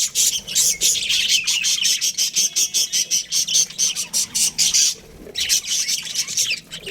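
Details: Baby budgerigars in an aviary give a steady series of short, high squeaky chirps in an even rhythm, broken by a brief pause before resuming.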